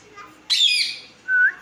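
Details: A pet talking parakeet gives one harsh, grating squawk lasting about half a second, while its owner asks why it is angry. A brief, clear whistle follows and rises slightly at the end.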